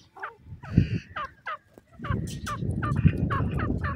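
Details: Grey francolin (Gora Teetar) giving short, downward-slurred notes in an uneven series, with a dense low rumble and noise filling the second half.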